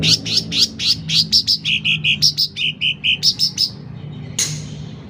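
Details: Sooty-headed bulbul singing vigorously, loud: an even, rapid series of clear notes, first higher and rising, then dropping to lower piping ones, ending in a sudden noisy burst.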